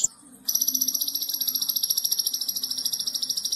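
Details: Konin masteran song for training other birds, in gacor tembakan style: a short high note, a brief pause, then a long, even, very high buzzy trill of fast repeated pulses that runs without a break.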